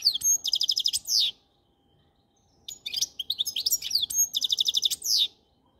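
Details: A goldfinch sings a fast even trill ending in a buzzy note, falls quiet for over a second, then returns with mixed chirps, liquid twitters and another rapid trill.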